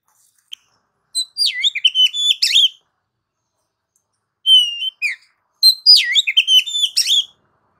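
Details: Oriental magpie-robin song with chattering, rapid phrases of mixed whistles and buzzy chirps, three bursts separated by short silences.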